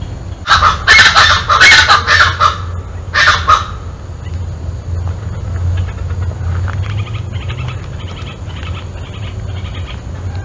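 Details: Scaled chachalaca (Ortalis squamata) in the Botanical Garden, Porto Alegre, RS, Brazil, January 2023, giving loud, harsh, rapidly repeated cackling bursts for about three seconds, then softer calls trailing off over a steady low rumble.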